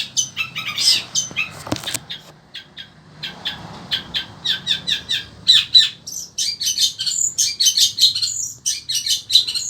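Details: Through desert-like heat, a caged Indonesian Long-tailed Shrike of the sembur type sings nonstop: dense, fast, high chattering chips with scattered whistles, broken by one loud click early on.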